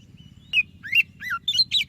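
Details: Brief burst from a lively white-breasted magpie-robin, used as a singing prompt: a sharp whistle, a rising slur, a falling note, then fast chirps crowding together at the end, over a low background hum.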